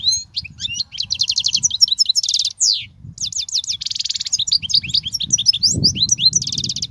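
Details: European goldfinch song meant for teaching young goldfinches: continuous fast, high, tinkling twitter mixed with buzzy trilled phrases, one brief break, over a faint low rumble.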